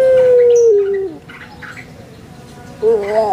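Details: End of a puter pelung Barbary dove's coo from Java, Indonesia: a long note sliding downward in steps, a quiet gap, then the start of a new rising coo.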